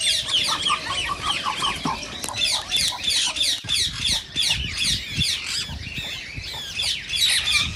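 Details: Rose-ringed parakeets calling to prompt singing and mating: a thick flock chorus of shrill, overlapping screeches and chatters, steady throughout.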